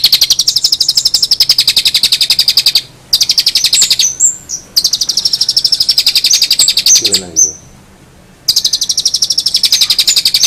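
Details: Long-tailed shrike song dominated by a fast, even, buzzy high trill repeated in long stretches, broken by short pauses with a few sharp whistled notes and a brief lower chattering sound.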